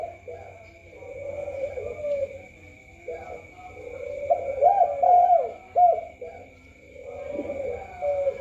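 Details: Spotted dove (tekukur) coos in low, soft phrases: long level hums broken by a brighter burst of quick wavering notes near the middle, with a continuous thin electronic whine throughout.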